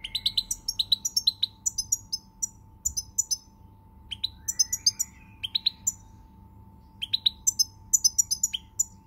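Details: European goldfinch singing on 20 March 2020: bursts of rapid, tinkling, high twittering notes and buzzy trills in quick runs, with short pauses between phrases, over a steady faint electrical hum.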